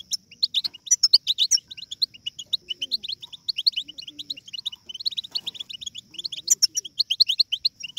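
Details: Babbling of European goldfinch chicks, used to excite goldfinches into singing; dense high twittering of rapid, overlapping chirps from several birds, in bursts with short pauses, over a steady faint high tone.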